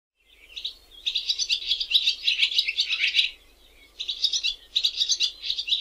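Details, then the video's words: Swallow twittering in a fast, scratchy warble of high chirps, two bursts with a short pause between, over a faint low hum. "Typical swallows"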